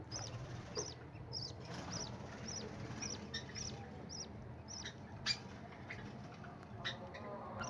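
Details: A budgerigar chick gives rapid, high, scratchy chirps, repeated every half second, begging while its mother feeds it.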